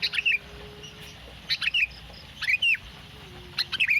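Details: Sooty-headed bulbul kept in a cage, heard in the morning, giving four short bursts of sharp chirped notes about a second apart, each ending in a quick twisting whistle; faint low tone in the background.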